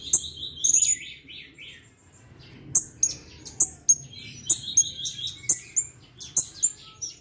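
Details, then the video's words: A male Sumatran blue-crowned hanging parrot, recorded on 16 July 2021, answers a lure right away with very high, thin, shrill chirps and short buzzy trills in quick bursts, about two a second, over a faint low hum. "Serindit / Srindit gacor , pancingan langsung nyaut"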